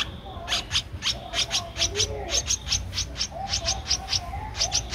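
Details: Thirteen-day-old Streak-eared Bulbul nestling in Ubon Ratchathani, Thailand, April 2023, uttering a steady stream of bright, high-pitched chirps, several per second with one short break, over low background noise.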